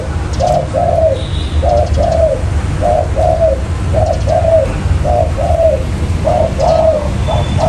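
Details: Lure call of a spotted dove for catching wild birds: husky coos in paired phrases, each pair repeated about every 1.2 seconds, over a faint low hum.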